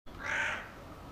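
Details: Hooded crow giving a single long, hoarse, drawn-out caw lasting about a second, loudest in the middle and fading at the end.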